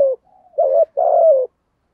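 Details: Spotted dove, 'giọng thổ' voice, cooing to lure wild doves: the tail of a falling coo, a soft low hum, then a rising coo and a long sustained coo that drops at the end, with no other sounds.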